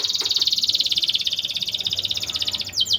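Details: ['Singing canary, a lure bird for bringing young canaries into breeding condition, giving a continuous high rolled trill that ends in two sharp downward sweeps.']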